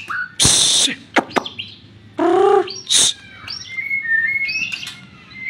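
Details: White-rumped shama, murai, with loud noisy bursts and a low harmonic rising note, followed by softer whistled phrases sliding between middle and high pitches.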